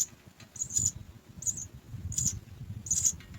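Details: Three house sparrow chicks in a nest waiting to be fed, giving thin, very high squeaky cheeps in short clusters roughly every half second to second, with soft low rustling beneath.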